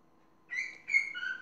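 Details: Parrot giving two harsh, nasal, drawn-out calls with strong overtones, the second falling in pitch at its end.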